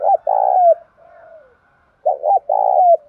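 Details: Spotted dove kept in a cage, singing the 'bài bổi' style used to set other doves cooing: a brief note and long rolling coo, a softer fading hum, then a second stuttered coo phrase.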